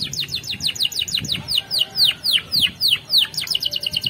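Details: Canary training song for teaching other canaries: an even series of about sixteen loud descending swooping notes, roughly four each second, bright and whistled.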